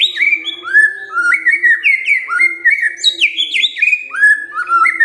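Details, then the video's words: White-rumped shama, once silent, now singing hard in answer to a lure recording: a continuous rich flow of varied whistled notes, sliding up and down, fast and loud throughout, over a faint low hum. "Murai DIAM Tersentak NYAUT GACOR Dengar Pancingan Murai ini"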